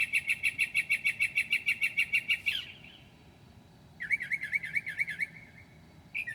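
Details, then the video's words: A mimicking northern mockingbird sings at 2 a.m. on 7/9/2008. A fast, even series of clipped notes runs for over two seconds, then a brief silence, then a wavering, warbled trill and a final note. "HIGH QUALITY AUDIO of a Mocking bird at 2:00 A.M."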